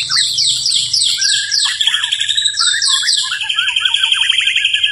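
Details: White-rumped shama going strong through the night: a rapid sequence of repeated buzzy downsweeps, followed by a fast, even, pulsing trill with small whistled notes scattered across it.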